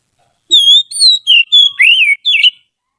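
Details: Trained Oriental magpie-robin used as a song tutor for other birds, singing six loud clear whistled phrases, some level, some bending down or wavering, in quick succession over about two seconds, in a quiet setting.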